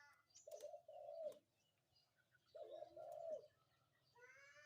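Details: Morning call of a spotted dove: two soft cooing phrases about two seconds apart, each a short double note run into a longer falling coo, with a faint low hum and a brief higher bird chirp at the end.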